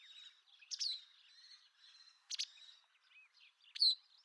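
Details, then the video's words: White wagtail (Motacilla alba) giving three sharp, high chirping calls about every one and a half seconds, over a faint high hiss of background noise. "Vogelstimmen: Die Bachstelze - Wagtail - Motacilla alba"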